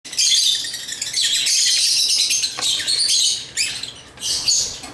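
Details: African lovebirds chirping while playing with toys; dense, high, shrill chattering and twittering in rapid bursts, with short pauses between flurries of overlapping squeaky notes.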